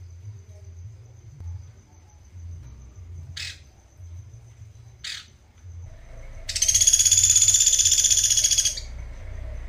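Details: A Sunda pygmy woodpecker from Sampit gives two short, sharp high notes, then a fast, buzzy high trill lasting about two seconds, with a faint steady whine and low rumble underneath.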